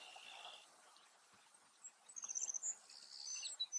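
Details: A male Savannah Sparrow in a field, counter-singing with another nesting sparrow, gives a sibilant burst of rapid high pulses. These slide into a drawn-out insect-like buzz and then a short closing note, over faint background hiss.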